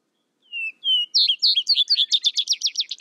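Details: Vesper sparrow singing: two clear drawn-out whistles, the second higher, then a rapid series of sharp descending chips that speed into a bright trill, clean with no other sounds.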